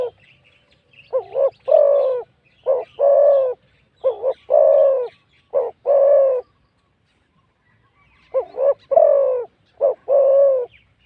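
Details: Wild spotted dove with a big, well-delivered voice, cooing during a decoying session with a decoy bird: loud, mellow, hollow coos in phrases of about four notes, each opening with a short wavering note, a pause, then the phrase repeated.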